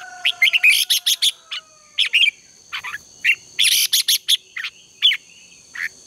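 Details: Red-whiskered bulbul morning song used as a decoy to train birds for singing contests: rapid bursts of bright, chirpy, warbled notes in quick clusters, separated by short pauses, over a steady high thin ringing tone.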